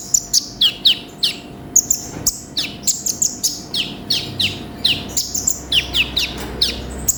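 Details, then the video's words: Energetic olive-backed sunbird song full of varied phrases: a steady series of sharp, descending high whistles mixed with thin piercing notes, several each second, over a low constant hum. "MASTERAN BURUNG KONIN GACOR FULL ISIAN"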